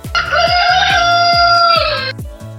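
A rooster holds one long, brassy crow note for about two seconds, ending with a slight fall in pitch, over a steady thumping musical beat.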